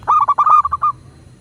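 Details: Single phrase from a local Indonesian zebra dove, meant as a prompt to make doves respond: about eight quick, hollow, even-pitched cooing notes run together in under a second, then quiet.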